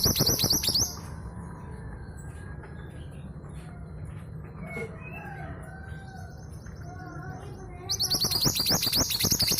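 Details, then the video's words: Shrill, fast chattering bursts at the start and end come from a female long-tailed sibia of East Java, a lure for stubborn males. Soft scattered notes from other birds fill the quiet middle. "MANTENAN GUNUNG GACOR"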